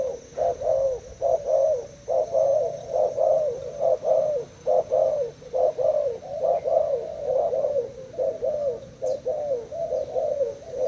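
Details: Caged Thai spotted dove cooing in contest against a decoy bird. Rapid, steady series of short, hollow mid-pitched coos, about one per second, each with a slight bend, continuing throughout with a faint high steady tone behind.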